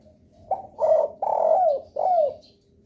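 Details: Spotted dove lure call that prompts other doves to respond, heard as a single phrase of four mellow coos; the longer third note glides down at its end.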